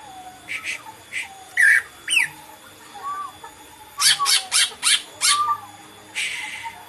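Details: Cucak ijo (green leafbird) mixing squawky, harsh notes with short slurred whistles, then a burst of five loud rasping calls in quick succession and a final scratchy note.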